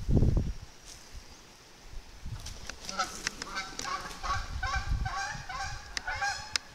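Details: Canada geese chorus by a creek and marsh in the Tongass forest, Southeast Alaska: many overlapping nasal honks repeating quickly for several seconds, after a low thump and a quiet stretch at the start.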